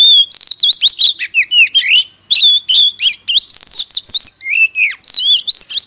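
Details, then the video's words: Decoy Oriental magpie-robin in fighting song to attract wild birds, delivering nearly six seconds of dense, rich whistles, looping slurs and sharp chirps in rapid phrases, with one brief pause midway. "Chích choè than hót đấu"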